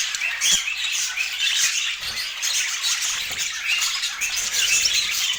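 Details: Budgies chirping while they feed, their overlapping high warbles and squeaks forming a steady, lively chatter with a few soft knocks.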